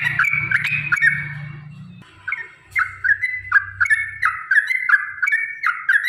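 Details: Yellow-vented bulbul singing a lure song for caged birds: liquid downslurred whistled phrases repeated roughly every half second, with low droning noise in the first seconds.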